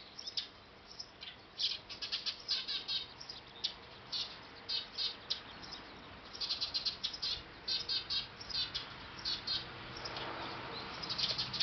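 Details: Eurasian tree sparrow chirps from a nest on a factory roof in Japan, fainter and more scattered, short rapid bursts with quieter gaps over a noisy background.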